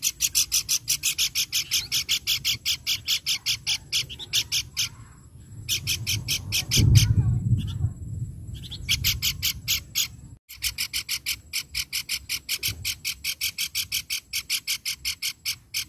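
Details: A hill babbler (pelanduk bukit) in lively song, used as a lure to prompt other babblers to call, gives a fast run of harsh, scratchy notes, about three a second, over a low background rumble.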